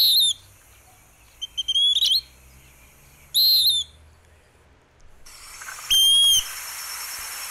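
Western Wood-Pewee dawn song: four high, slurred whistled notes about every one and a half seconds, the last over a steady hiss.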